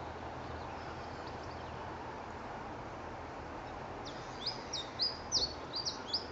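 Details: Siberian chiffchaff (tristis) in Youngs Park, Goodrington, Torbay, Devon, UK, 21 December 2014, singing after song playback: a short jumbled burst of high, thin notes jumping up and down, entering after four seconds over background hiss.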